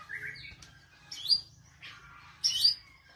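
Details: Magpie-robin giving a few sparse, bright whistled notes, some rising and high-pitched, separated by short pauses over a faint low hum.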